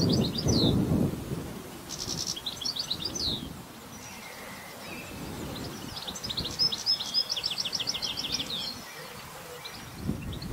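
A European goldfinch sings a quick, tinkling jumble of high twitters and liquid trills in bursts, over a low rumbling background noise.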